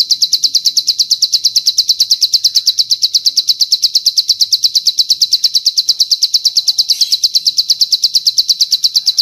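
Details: Training master recording of bar-winged prinia song with long cililin inserts: unbroken, high, thin pulses run at an even fast pace, about three per second, with a brief louder note near the end and nothing else audible.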